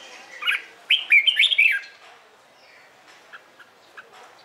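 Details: Morning song of a red-whiskered bulbul kept for song-competition training: one rich burst of quick, slurred whistled notes lasting about a second, followed by faint scattered chirps.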